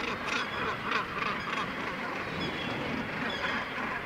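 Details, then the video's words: Breeding Northern gannets crowded on the Syltefjordstauran cliffs, north-east Varanger, Norway. Harsh, goose-like grating calls come in quick bursts early on, then merge into the general colony clamour. "Gannet colony - Syltefjordstauran, Varanger (Norway)"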